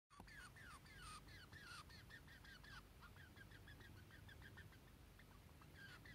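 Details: A pet white Java sparrow indoors in a closet gives a rapid run of high, squeaky, down-slurred 'kyu' notes, several each second, over a steady low indoor hum.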